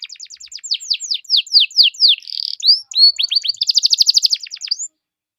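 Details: Loud canary lure song to get other canaries singing: rapid repeated downward-swept whistles accelerating into a buzzy roll, then upslurred notes and a fast pulsing trill ending in a rising whistle.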